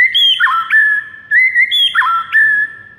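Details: White-rumped shama morning training song with two near-identical phrases about a second apart, each a bright whistle dropping into a quick descending warble.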